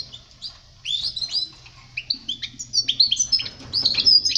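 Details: European goldfinch song meant for teaching young birds to sing: bright, rapid twittering phrases with tinkling high notes and short buzzy trills, loosening into denser chatter toward the end, with a faint low hum beneath.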